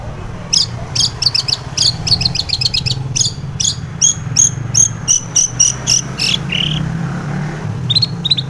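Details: Female long-tailed shrike in the morning, used as a lure to settle and stimulate caged birds; a long series of sharp, high, clipped notes in quick bursts, with steady low background hum.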